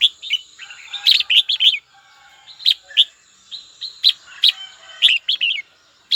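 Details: Red-whiskered bulbul calling a rival: busy, overlapping chirps and warbles repeated in short bursts every second or so over a steady high hum and background chatter.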